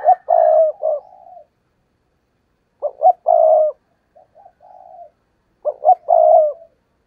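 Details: Spotted dove used as a lure for trapping wild doves. Three separate phrases, each a couple of quick low notes followed by a long, rolling coo, spaced roughly two to three seconds apart.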